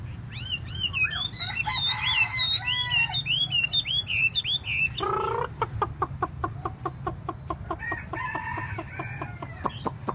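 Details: A Chinese hwamei tail-dancing gives a dense stream of looping high whistles, then a harsh note and a long series of sharp evenly spaced clicks.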